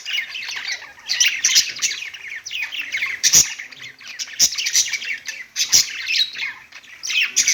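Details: Pet budgies singing on a perch: dense, scratchy warbled chatter with rapid twittering notes and sharp clicks, continuous throughout with brief louder bursts.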